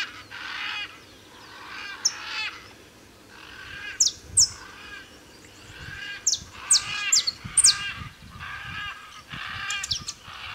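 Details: A male saffron finch singing free in the wild at Tupi Paulista, São Paulo, Brazil, gives lively bursts of sharp chips and buzzy, rattling phrases, with occasional bright high notes, in quick irregular spurts.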